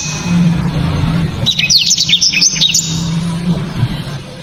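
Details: Loud, sharp blacktrod song burst: about a second and a half of quick, high, zigzagging whistled notes, framed by a steady low hum before and after.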